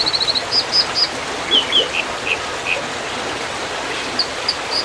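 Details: American dippers at a nest, recorded 2019: short, sharp, high notes, first a quick run of five, then single or paired notes spaced irregularly, over a steady rushing noise like flowing water.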